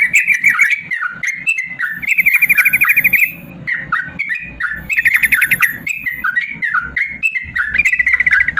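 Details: Long, rolling song of a caged yellow-vented bulbul, used to coax lazy caged bulbuls into singing: dense run of bubbly, warbling notes around mid pitch with brief high chattering bursts, delivered continuously with short pauses.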